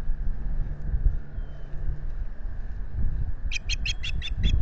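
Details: Nest-camera recording of an Osprey at Salt Point in the US Finger Lakes, 25 April 2022: after windy rumbling and housing bangs, a rapid series of six piercing chirps repeated evenly near the end.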